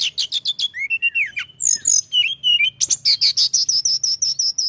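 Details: Mountain tailorbird in loud, excited song, opening with rapid chips, then gliding whistles, and finishing with a steady run of high repeated notes, all over a quiet low hum.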